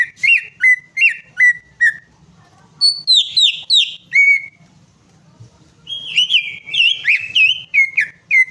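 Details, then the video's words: Prompting song of a greater green leafbird, for a bird that has gone silent: four evenly spaced whistled notes, a short flourish of looping whistles, a pause, then a rapid warbled run. "PANCINGAN CUCAK IJO MACET PARAH"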